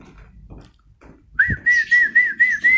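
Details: White-rumped shama giving a sustained, wavering whistled note that pulses about five times and rises slightly at the end, after a short quiet pause with faint chirps.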